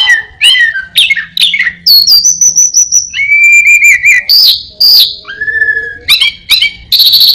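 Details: Caged orange-headed thrush singing a varied medley of imitated birds and a cat, mixing sharp downslurred chirps, long level whistles and short trills in quick succession, recorded close and loud.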